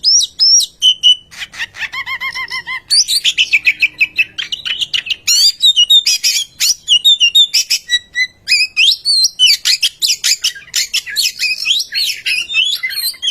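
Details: Oriental magpie-robin singing a lure song to coax silent birds into song: a long, energetic medley of whistles, chattering trills, buzzy notes and quick mimic-like phrases delivered almost without pause.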